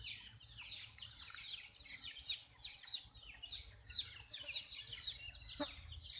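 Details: Baby chicks drinking water, giving a dense, overlapping chorus of high, downward-sliding peeps, several every second, with one brief low knock near the end.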